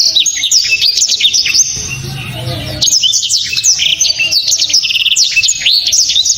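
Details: Loud, clear song of the blacktrod, or Black-throated Canary: fast high twittering runs and quick slurred whistles, a short pause with low background noise, then a longer, denser volley of rapid chirps and trills.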